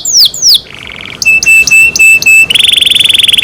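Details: Kept canary singing varied phrases: two descending whistles, a dry buzzy trill, a row of sharp clipped notes, then a very fast rattling roll.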